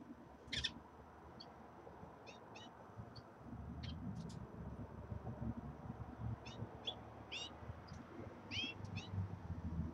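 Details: Common redpolls settling into a new cage give brief, high twittering chirps in irregular clusters, some sharply upswept, over a steady low indoor hum.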